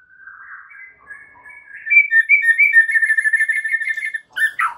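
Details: White-rumped shama training song for caged birds: soft rising whistles building into a rapid, rhythmic warble of paired notes, followed by harsh sharp notes.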